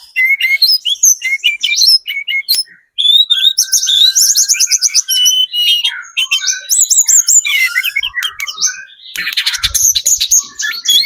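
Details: Sunda robin, 'trotol' speckled form, singing nonstop as a lure to make other birds respond; a dense, rich jumble of high whistles, rapid trills, buzzy notes and chirps, with one brief gap.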